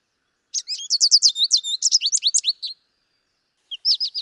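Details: American goldfinch song from Wisconsin: a long, rambling string of high, thin warbles and twitters, varied and quick, with a short pause before a few more chirpy notes.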